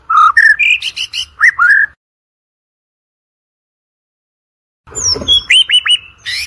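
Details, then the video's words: White-rumped shama song used as a lure to train birds for song competitions: two bursts of loud, clear whistled and slurred notes, rising and falling, separated by nearly three seconds of silence. "OCEHAN MURAI BATU PALING EDAN, COCOK UNTUK PANCINGAN MURAI BATU UNTUK LOMBA"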